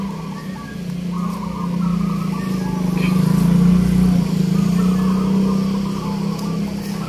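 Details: Loud droning vehicle engine hum with a steady low tone and revving passes, plus faint voices and no clear animal calls.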